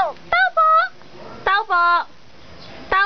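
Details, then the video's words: Talking crow addressing its owner: a few drawn-out, flat nasal syllables, each held about a third of a second, separated by quiet pauses. "RAVEN | CROW TALKING TO HIS BOSS | Nagsasalitang owak"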